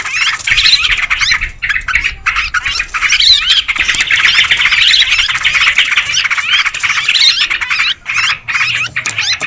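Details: Sustained, crowded chatter of Sooty-headed bulbuls for luring birds, harsh squawks and twittering notes overlapping continuously, with a few brief dips in loudness.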